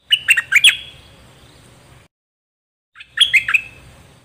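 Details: Dok taeng bird song, played for training young birds and exciting them: two short bursts of bright chirped notes sliding down, separated by a pause, with faint low hum beneath.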